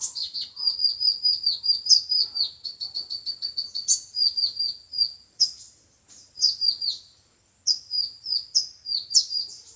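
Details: Five-colour and seven-colour sunbird song used as trapping playback: a long run of rapid, high, ticking notes at steady pace, followed by scattered sharp chirps and short bright phrases separated by brief gaps.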